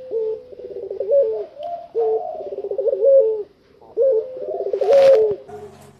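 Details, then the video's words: Tame puter pelung dove singing outside its cage: long, low, rolling coos with wavering trilled middles, given in phrases of about one and a half seconds with brief pauses. A short hiss is heard near the end. "BURUNG PUTER PELUNG JINAK TOTAL,GACOR DI LUAR SANGKAR"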